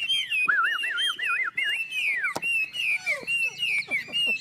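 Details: Two caged Chinese hwamei from Tuyen Quang, Vietnam, in a singing contest: loud clear whistled phrases near a steady pitch, a run of rolling looping notes, then sliding whistles and quick downward slurs overlapping.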